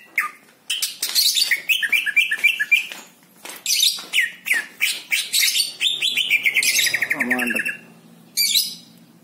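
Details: Greater green leafbird in a lively song of rapid varied chirps, slurred whistles and trills, a long descending run of repeated notes near the middle, then a short pause and a final burst.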